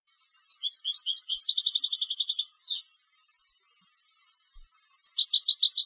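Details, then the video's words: European goldfinch of competition stock: chattering high notes flowing into a fast, even trill and a descending buzzy slur, then after two silent seconds another twittering phrase starts up. "Canto del Jilguero de Concurso"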